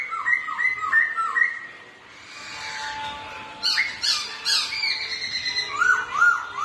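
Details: Two Black-throated laughingthrushes singing against each other and displaying: clear whistled notes swooping down and up, repeated in quick phrases, with a pause midway and then a rising burst of brighter, higher notes.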